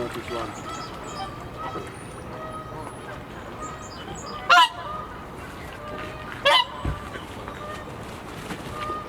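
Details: A Whooper swan at Attenborough Nature Reserve, present for several weeks in 2020. Two loud, brief, harsh honks stand out about two seconds apart, with quieter level honking notes and faint high bird chirps behind them.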